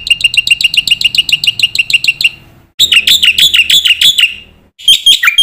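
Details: Black-winged myna master song used to train young mynas: rapid series of repeated chattering, buzzy notes with bright overtones, about three per second, then a pause and another harsher repeated burst, ending in a short squeaky phrase.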